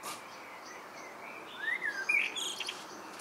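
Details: Evening song of a common blackbird: after a quiet start, a short run of whistled, slurred notes leads into sharp, high twittering chirps over soft background hiss.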